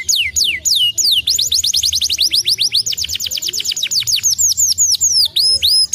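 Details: Canary song used to stimulate singing: a few long plunging whistles open into a rapid, sustained trill of falling notes, later slowing into drawn-out curved whistles; low hum in the background.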